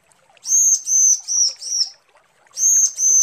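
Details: Female bar-winged prinia calling the male with high, steady, thin whistled notes, four drawn-out tones in a row, each lasting about a third of a second, then a pause and two more.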